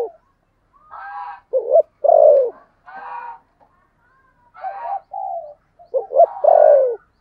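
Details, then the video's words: Decoy spotted dove in the 'thổ' voice, kept for luring wild doves. Soft burry murmurs lead into two doubled clipped notes, each ending in a strong, drawn-out descending coo. "Chim Cu Mồi giọng THỔ"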